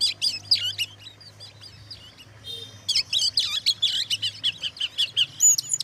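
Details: Oriental magpie-robin singing as bait to anger other magpie-robins: loud whistled slurs, a short lull, then a fast, rhythmic series of sharp chirps and swooping whistles, about three per second, with a low hum behind.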